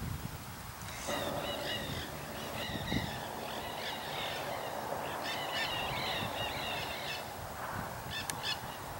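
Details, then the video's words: Several Nanday parakeets screech in harsh, grating bursts, calling over one another in quick, uneven runs over a steady low rumble, at Paramount Ranch, Santa Monica Mountains, California, on 25 March 2021. "Nanday Parakeets"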